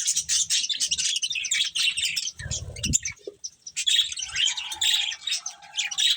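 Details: A group of colourful budgies feeding and chirping together: busy, high, scratchy twitters and warbles overlap throughout, broken by a short low rustle or thud near the middle and a steadier whistled note later.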